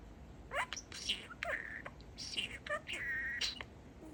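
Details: Pet male budgerigar talking, saying a favourite phrase altered from "peekaboo" to "peek-e-boo"; quiet, scratchy, speech-like chattering syllables with short whistled tones, heard indoors.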